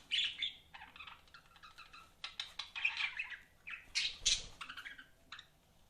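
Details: Budgies chatter in quick, irregular bursts of high squawks and chirps with brief pauses between, over a faint low background hum.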